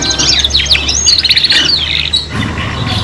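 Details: Young canaries practising song together: a quick burst of sharp rising and falling high notes and a rapid trill, fading into quieter twitter near the end, with a low background rumble.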